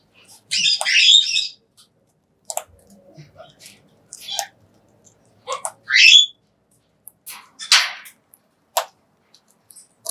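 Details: A Major Mitchell's cockatoo eating a high-protein pellet feed gives a few harsh, scratchy screeches spaced several seconds apart, between sharp clicks and soft crunching sounds of feeding.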